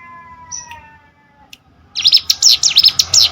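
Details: Hill Prinia used as training audio for competition birds: a quiet stretch with a faint steady tone and a single high note, then a burst of rapid, high, sharp chirps in the last second and a half.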